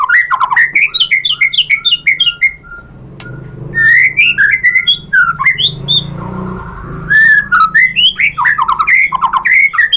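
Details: White-rumped shama song meant to provoke other birds into singing: fast rich cascades of whistled and slurred notes, a brief lull with a held whistle and background hum, then more rapid varied phrases.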